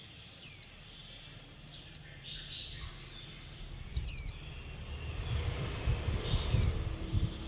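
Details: Juvenile warbling white-eye begging and calling for its mother and flock: four loud, high, steeply falling chirps spaced over a second apart, with softer buzzy notes between and faint low rumbling underneath.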